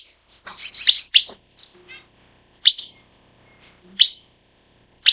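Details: Broad-tailed paradise whydah: a short, busy burst of high chirps, then single sharp chirps roughly every second, over a faint low hum.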